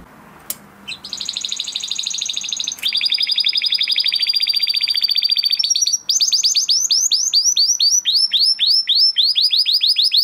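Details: Crested Spanish Timbrado canary, a huppe bird bred in 2020, delivering training song: after a quiet start, a buzzy rapid trill, a louder metallic roll, then a long series of quick falling chirps.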